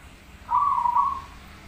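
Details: Zebra dove (perkutut) in lively voice delivers one smooth trilled coo of about 0.7 seconds, low and softly quavering, over a steady quiet background.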